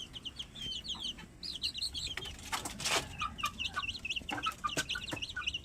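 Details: Fat chickens fill the air with rapid, high, chirping peeps in overlapping bursts, several birds calling at once, with a few lower notes and bursts of rustling or wing noise.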